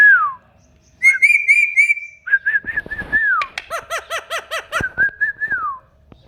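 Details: Pet rose-ringed parakeet talking and dancing: a clear falling whistle, then a run of harmonic speech-like syllables and rising-falling whistled notes, several rapid repeated bursts, ending on a long descending whistle, with short silent gaps between phrases.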